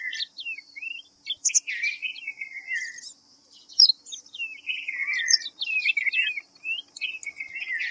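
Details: White-browed fantail, Rhipidura aureola, a small fantail: a busy run of high whistled and squeaky notes, some rising and falling, in short phrases with brief pauses, over a steady faint high hiss.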